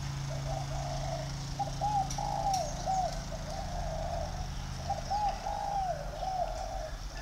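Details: Tame, home-bred spotted dove giving two coo phrases a few seconds apart, each a string of mellow hooting notes ending in a falling slur, with a constant low rumble behind.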